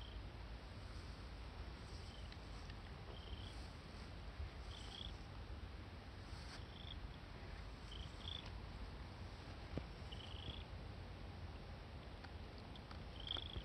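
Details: Peeping of a red-crowned crane chick at Akan International Crane Center on 31 August 2020: about a dozen brief, high, slightly rising whistles scattered across the recording, with low wind-like rumble and occasional clicks.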